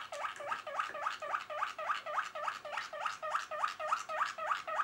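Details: Malinois Waterslager canary, 2023 recording: a soft, steady series of quick rising notes, about three and a half per second, each with a small upward flick, sounding like gentle bubbling.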